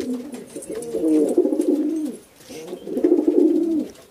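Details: A breeder pair of racing pigeons: two bursts of low, rolling, bubbling cooing, each about one and a half seconds long, separated by a short pause.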